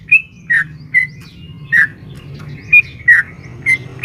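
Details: Sooty-headed bulbul, said to be a female calling a male, used as a lure to make caged birds respond: sparse, separated bubbly whistled notes, roughly one per half second with irregular gaps, over a steady low rumbling background.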